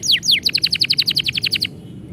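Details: Canary singing while its owner is about to leave: two sharp downslurred whistles followed by a fast even series of about fifteen bright chirps, then quiet with low background hum.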